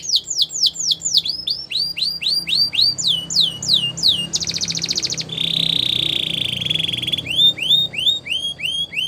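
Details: Belgian canary song for canary training, series of looping downswept whistled syllables repeated about four per second, broken by a fast high rattle and a steady buzzy roll before the swooping notes return.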